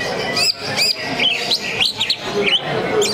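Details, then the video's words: Competing greater green leafbird at a contest, tail spread, delivering loud high whistled phrases with quick upward and downward slurs and sharp chips, some notes repeated, over a background of murmuring people. "Pertarungan Dahsyat Sang Jawara Cucak Ijo Sambil Buka Ekor"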